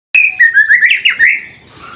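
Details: Seven-month-old white-rumped shama singing a brief, loud phrase of clear whistled notes that slide and warble up and down, ending in a softer trailing note.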